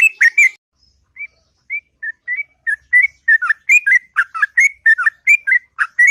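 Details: Morning song of a sooty-headed bulbul: a quick opening flourish, then soft single whistles spaced apart, gradually quickening into a lively stream of loud, bubbling warbled notes.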